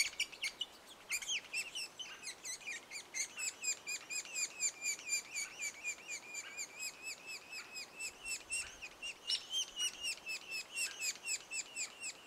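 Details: Sapsucker nestlings at the nest two days before the first fledging, giving steady, high, chirping calls about twice a second, clustered notes that sometimes overlap into a busy chatter, with faint outdoor background.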